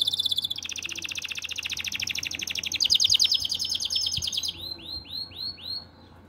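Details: Canary in breeding condition singing to call a female: fast, even trill of high notes for over four seconds, ending in a few slower downward-swooping whistles.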